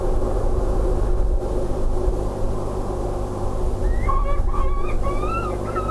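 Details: Peregrine falcons at De Mortel on 8 June 2016, 12:33, doing wing exercises as a pigeon is brought to the nest grate. A short run of about five thin, wailing, rising-and-arching notes in under two seconds sounds over a steady low wind rumble.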